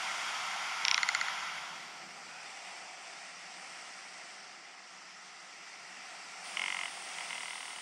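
Rock ptarmigan giving two short, dry, rattling croaks, like a wooden ratchet, about six seconds apart, over a steady hiss of wind.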